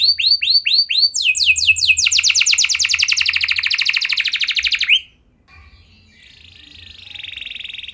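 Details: Canary song used to encourage other canaries to sing: a few curved upslurred notes, then a long rapid rolling trill that gradually descends, a brief silence, and a faint buzzy trill at the end.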